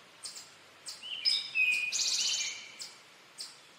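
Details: Male Eastern towhee delivering the "drink your tea" song: a high note, a sliding lower whistle, then a dense buzzy trill of about a second, with sharp ticking clicks before and after.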